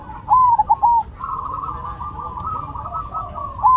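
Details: Zebra dove (perkutut), a cemani bird singing against a silver one: a loud, clipped ringing coo phrase at the start, then softer overlapping cooing from other doves running underneath, and a new phrase beginning at the end.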